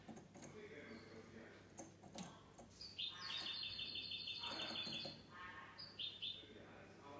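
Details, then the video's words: Goldfinch hybrid (mixto) singing in the clean song style (cante limpio), recorded 19 March 2020: scattered chirps, then a fast run of bright, evenly repeated ringing notes for about two seconds, another short burst near the end, light background knocks. "mixto de jilguero cante limpio"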